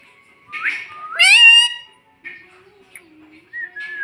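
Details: A pet talking parrot ('mitthu', 'mummy') gives a rising whistle that flows into a long, bright harmonic note. Softer whistled fragments trail after it indoors.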